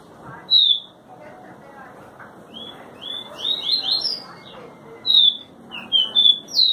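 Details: Double-collared seedeater (papa-capim) from João Pessoa, Paraíba, singing in short bursts of clear, sliding whistled notes, some quick paired phrases, separated by pauses, over a murmur of voices and background music.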